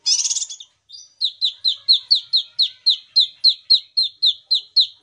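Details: Kinoi in real, lively song used as a lure for non-singing kinoi; after an opening rough chatter, a steady train of clipped downslurred whistles repeats about four times a second.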